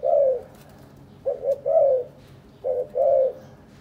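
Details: Spotted dove in a captive breeding pair, courting, preening each other and carrying material to build a nest; low hoarse coos around 500–700, short notes followed by a longer drawn-out coo, phrases repeated about every 1.5 seconds.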